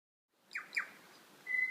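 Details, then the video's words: Wild birds in Abel Tasman National Park: two quick sharp downslurred notes, then a pure steady whistle at the end, in a quiet forest setting. "Bird calls in Abel Tasman National Park"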